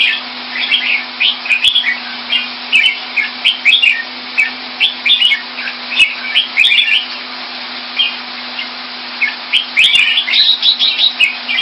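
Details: Caged red-whiskered bulbul kept Thai style in Singapore, recorded around February 2018: bursts of bright, warbled, slurred whistled phrases, rising and falling, repeated in quick runs over a steady droning hum and hiss.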